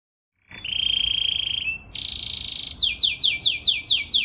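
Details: Canary song meant as training song for other birds: a sustained high buzzy trill, a brief pause, a second rolling trill, then clear downward-slurred whistled notes repeated roughly three per second.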